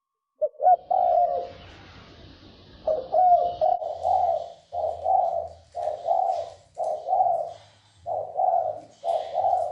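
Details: Spotted dove calling in the 'sấm chuông' style, used to stir up males, females and newly caught birds; deep two-part coos repeat about every second after a pause, over a faint low hum.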